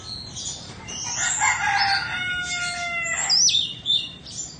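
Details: Indonesian Oriental magpie-robin in a cage, a two-season bird, sings long steady whistled notes layered with harsh buzzy tones, ending in a sharp rising-and-falling whistle.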